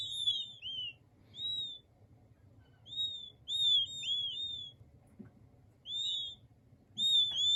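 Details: High, piping whistles from king quail chicks, mostly clustered in runs of two to four short notes with downward-curving ends, separated by quiet gaps of one to two seconds; low background hum.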